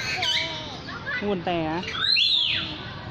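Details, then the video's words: Lyrebird song with harsh, rich-toned notes stacked with overtones, some rapid and rattling, then a bright high whistle that arches up and falls away. "Amazing! Bird Sounds From The Lyre Bird"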